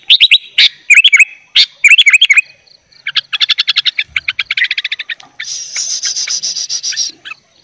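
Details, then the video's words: Loud sooty-headed bulbul song packed with fill-in phrases, meant as a tutor recording for young bulbuls; bursts of clear whistled notes, rapid trilled chirping runs, then a sustained buzzy high passage. "kutilang gacor full isian - cocok buat masteran kutilang bahan"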